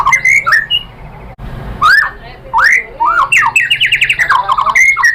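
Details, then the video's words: White-rumped shama singing to provoke a rival bird: bright whistled notes, a short break, then rising swooping calls and a quick rattling run of repeated notes with loud chirps. "Pancingan MURAI BATU bikin EMOSI NYAUT GACOR"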